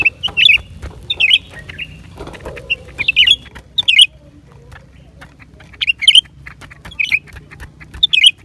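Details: Repeated lively, high-pitched chirp phrases of a lesser green leafbird, coming in a series of quick squeaky flourishes with a short quiet gap midway, plus scattered clicks and a low hum.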